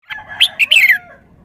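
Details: Red-whiskered bulbul showing off a sweet three-syllable song: a short burst of bright whistled notes, the last one sliding downward, with faint lower tones beneath.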